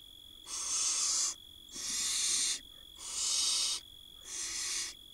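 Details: Begging barn owl nestlings in a 2022 nest box in Israel as the mother brings food: four loud, noisy hisses, each nearly a second long, repeated about every 1.2 seconds over a constant camera hum.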